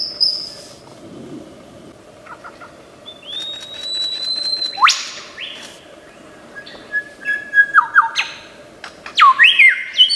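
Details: Australian lyrebird copying other sounds: a high thin tone, long level whistles stepping down in pitch, then a quickening run of sharp downward-swooping notes and buzzy bursts, over soft background noise.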